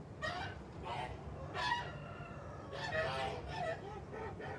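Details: Farmyard Kholmogory geese, 29 March 2021: loud, coarse honks in irregular bursts roughly every second or so, each a brassy nasal blare, with a constant low hum of farm noise underneath.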